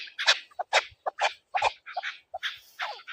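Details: Chukar partridge associated with hunting, giving a short sequence of separate, husky chuk notes at an uneven pace of roughly two per second.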